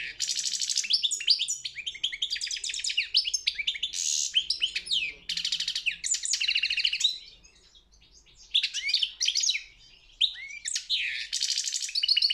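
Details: Championship-entered European goldfinch song: long runs of rapid chattering twitters, harsh buzzy notes and bright trills, broken by two brief silences before the bird resumes its energetic high phrases.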